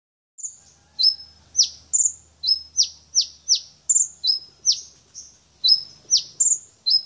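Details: A champion brown-throated sunbird in full song sings a fast string of very high, sharp notes, thin whistles and steep downward flicks, about three per second, against a quiet background.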